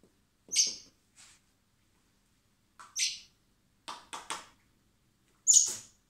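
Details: Hand-reared common blackbird chicks in spring at a wildlife recovery centre before release: scattered high, harsh begging squeaks and rasps, with clicks and rustling from feeding.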